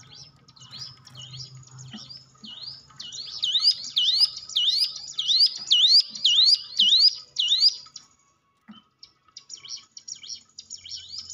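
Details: Hill prinia singing as a stimulus for quiet caged birds: faint notes over a low hum build into a loud burst of rapid rising whistles, then a short silence and fainter notes resume.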